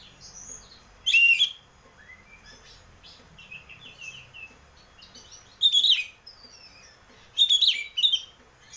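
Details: Oriental magpie-robin song used to stimulate a caged bird into singing: loud warbled whistles returning every two to three seconds, with quieter scratchy chatter and high notes in the gaps.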